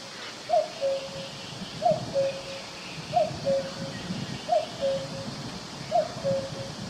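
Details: A cuckoo in a forest gives five clear two-note 'cuck-oo' calls, the second note lower, one about every 1.4 seconds, over soft rustling forest background.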